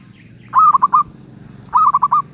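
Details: Zebra dove with a medium-pitched voice, called 'suara sedang': two clear stuttering coo phrases, each a quick run of four to five rolling notes at the same pitch, about a second apart over a soft low hum.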